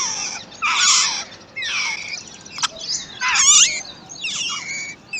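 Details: Wild babbler chicks being fed and protected by their parent give harsh, noisy squeals with sweeping, descending whistled notes in bursts, loud then fading.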